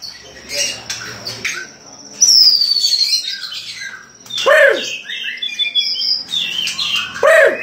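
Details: White-rumped shama song: a long, high whistled note sliding down, then fast rising and falling whistles and harsh buzzy bursts in a varied, loud run, with deeper downward-curving notes near the end.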